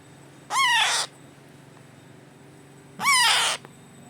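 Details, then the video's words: Two grating, strongly harmonic squawks about two and a half seconds apart come from a 25-day-old baby parrot being hand-fed. Each call bends upward, then down. "baby parrot 25 days handfeeding"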